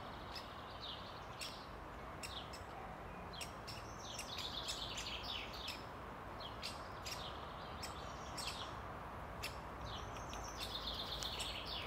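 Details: Great spotted woodpecker in Ljubljana Botanical Garden, Slovenia, on 31 May 2023, giving sharp, short kik notes at an uneven pace, with thin trilling from another bird and steady background hiss.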